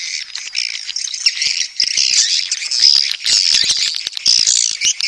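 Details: Swiftlets in a mating call: unbroken high chattering and buzzy twitters with quick clicking notes, fluctuating in loudness, no other sounds.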